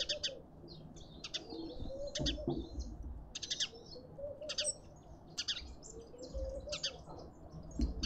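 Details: Red-winged starlings feeding in a suburban garden in Pretoria, South Africa, give bursts of high, scratchy chirps every second or so, over lower drawn-out whistled notes and a low background rumble.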